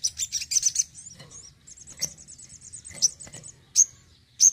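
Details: Active home sogon opens with rapid high chattering chirps, moves into a thin even rattling trill, then gives widely spaced loud sharp chip notes.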